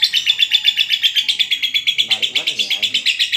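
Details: Lovebird singing a long ngekek, used as a master song for training: rapid shrill chattering notes repeated about four times a second, steady and high-pitched, with faint lower chatter midway.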